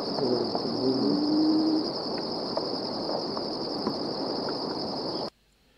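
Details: A critically endangered Plains-wanderer, recorded at Deniliquin, Australia, in 2015, gives a low, moaning, cow-like call lasting under two seconds over a steady high insect-like hiss and rough background noise.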